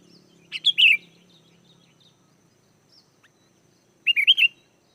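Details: Lure recording of a sooty-headed bulbul meant to draw wild bulbuls into replying: two brief liquid, warbling phrases about three seconds apart, each a few quick up-and-down notes, with near silence between.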